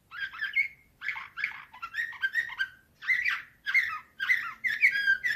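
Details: Canary singing in the Slavujar (nightingale-style) song from 2024: bursts of rich warbled, chirping phrases about half a second long, each separated by brief pauses, with some bright whistled notes rising above.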